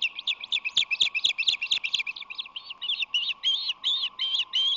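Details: At a San Francisco Bay osprey nest in March 2020, the male arrives with a fish that the female struggles to pry from him. A rapid run of loud, piercing chirps comes at about three per second, the later notes longer and wavering, with a faint steady hum behind.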